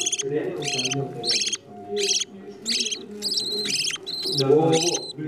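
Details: Budgerigar chicks fed by parents, with loud buzzy rasps in quick bursts and short pauses, mixed with soft low chattering and gurgling from the feeding.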